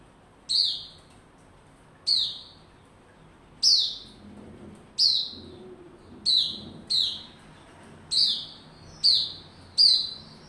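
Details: Caged white-rumped shama warming up into form before singing, recorded 27 December 2021: sharp, high whistled notes that slur downward, repeated about every one to one and a half seconds, each starting with a crisp click, over a quiet background.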